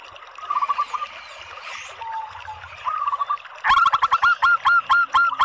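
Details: Calling female local zebra dove, meant to coax males into singing: a few soft scattered notes, then a sudden loud burst of quick, sharp, repeated notes, roughly four each second, with faint rustling beneath.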